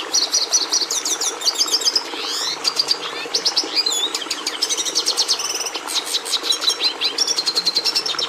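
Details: Song of the red siskin, Carduelis cucullata: rapid high-pitched twitters and trills mixed with descending buzzy sweeps and a sharp rising whistle, delivered nonstop with dense rhythmic notes, over low constant hiss.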